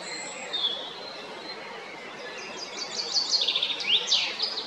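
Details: Male Eurasian blackbird singing at Jarun, Zagreb, Croatia, on 22 April 2021: high, thin, squeaky twittering phrases with quick rising and falling sweeps, building into denser chatter toward the end over faint background hiss.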